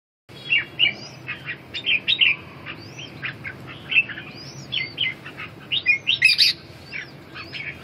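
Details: Red-whiskered bulbul song: quick bright chirped and warbled phrases, some with rising and falling slurs, crowded closely together over a steady low background hum.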